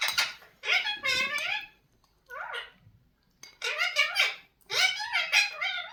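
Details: Indian ringneck parakeet chattering in a room: several bursts of bright, nasal, speech-like syllables with wavering pitch, including a short squeaky note in the middle and longer phrases toward the end.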